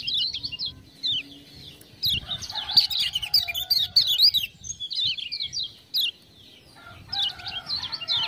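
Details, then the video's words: Kecial kuning, the lemon-bellied white-eye of Lombok, encouraged by ciak-ciak lure sounds. It gives clusters of sharp, high, twittering notes, dense in the middle and sparser toward the end, over faint lower whistles. "Kecial Kuning joss gacor"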